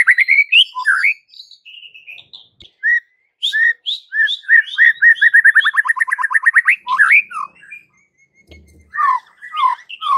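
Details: White-rumped shama song used to stir up kept shamas: varied whistles leading into a long rapid trill of repeated notes that speeds up and rises, followed by swooping slurred whistles.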